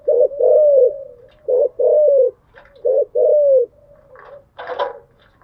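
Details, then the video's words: Early-morning cooing of a spotted dove kept as a pet bird: three clear phrases, each a quick stuttered double hoot running into a longer falling coo, ending with a brief rustling noise. "Tiếng chim gáy buổi sáng, mở lên vừa nghe thư giản vừa luyện bổi gáy theo. ÂM GÁY CHUẨN ÂM"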